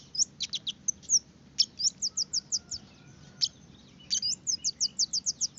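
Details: Red-headed finch singing, used as a lure recording to get birds singing keenly: rapid series of thin, high chirps and short downslurred notes in quick bursts, with brief pauses between phrases.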